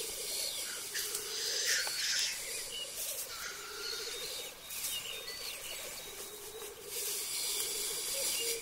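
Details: Black grouse displaying at a lek, where males fight and then mate: repeated bubbling coo rolls about every two seconds, sharp hissing sneezes, and faint calls from other birds.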